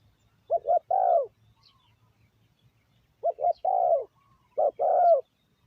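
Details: Decoy spotted dove calling to lure wild doves: three clear coo phrases, each two short low notes and then a longer, falling coo, with quiet gaps between phrases.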